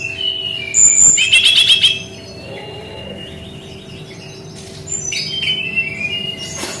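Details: Brown-chested jungle flycatcher in its 'tembakan' singing style: a loud fast trilled burst of high notes, a quiet gap, then softer scattered chirps and whistles, with a steady low hum.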